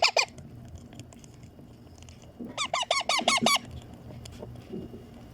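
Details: Green pet Indian ringneck parakeet chick begging as it is fed; a short burst of about six hoarse, nasal squawks stands out above a low background murmur, with faint quieter notes before and after.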